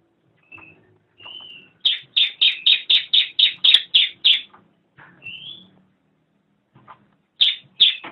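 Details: Cililin song for training songbirds: two soft whistled notes, then a series of about ten clear separate chirps roughly a quarter-second apart, a rising whistle and a few more chirps.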